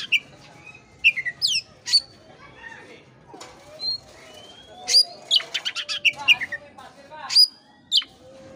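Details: Lure recording of an Oriental magpie-robin, played to stimulate a listless bird to sing: bright, sweeping high whistles in short phrases, a pause, then a chattering burst of harsh rapid notes and more slurred whistles.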